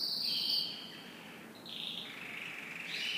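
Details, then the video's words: Canary singing in the morning: a high trill dropping to a lower rolling note, a quieter pause, then renewed sustained trills rising again at the end. "Canary Morning Singing"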